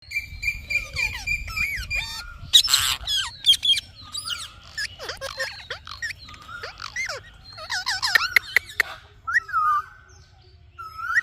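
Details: Indian ringneck parakeet talking: a dense run of varied whistled syllables and rising-falling modulated notes mixed with sharp clicks and a brief harsh burst, busy and chattering throughout.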